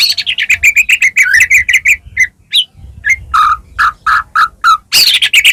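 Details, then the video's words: Lively white-rumped shama singing to provoke rival shamas to answer: a quick chattering run of bright notes, scattered chips, then repeated lower rich whistles and a burst of loud high notes at the end. "murai batu gacor AMPUH buat PANCINGAN murai batu agar bunyi"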